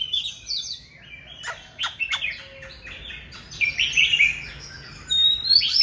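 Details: Oriental magpie-robin from old forest singing loudly, starting with scattered sharp clicking notes, then building into a run of clear, varied high whistles.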